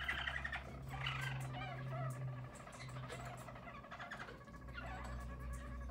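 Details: Yellow Harz German Roller canaries from a 2022 team sing a low rolling trill with brief rising whistles, over a steady low electrical hum.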